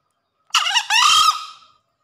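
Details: Green junglefowl crowing after heavy rain: one loud harsh crow of about 1.2 seconds, a rough broken opening followed by a longer strained, buzzy drawn-out note that fades away, on a quiet background.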